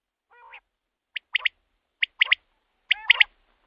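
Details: Common quail recording intended for night-time hunting lures: one low growling note, then three crisp, sharp, triple-note phrases, each about 0.9 seconds apart, on a silent background.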